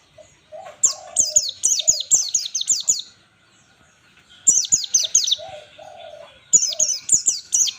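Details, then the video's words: White-eye (Zosterops) 'ngalas' style song, a master recording for training birds: three bursts of rapid, high, down-slurred whistles, each a run of several notes, separated by short pauses, with faint low tones underneath. "pleci full ngalas standar || zosterops"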